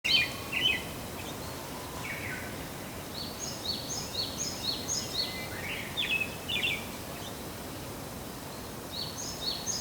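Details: Pale Thrush in mid-April before leaving on migration, giving its 'kyoron kyoron' and 'jii' calls: bursts of short, high chirping notes repeated quickly, with a lower slurred note near the start and a steady background hiss.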